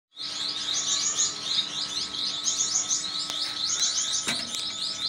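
Gouldian finches chatter in dense, high, overlapping chirps and twitters without a break, over a steady electrical hum.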